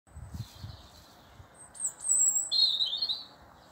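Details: Robin in a garden whistling back to a man who whistles to it: brief high, thin warbled phrases, then a sharper sliding phrase. Soft low thumps at the start.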